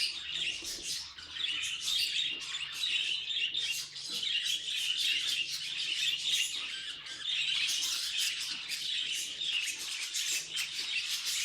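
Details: Pet budgie noises: a long run of busy warbling, with raspy chirrups, clicks and squeaky whistles packed closely together, swelling and easing in loudness, and a faint low hum in the background.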